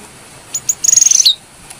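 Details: Two short high clicks, then a tight, fast trill of piercing notes from a brown-throated sunbird, ending in a downward-sliding note; recorded as a training lure for songbirds.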